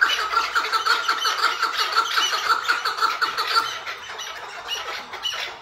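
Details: Captive tethered Chukar partridge giving hıngırma, a series of rhythmic raspy bursts about twice per second that fade gradually toward the end.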